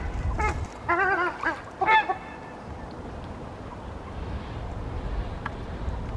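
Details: Ruddy shelduck from a pair raising young, once three, now two, squawking: three bursts of loud nasal, honking calls in the first two seconds, then a quiet stretch with low background rumble.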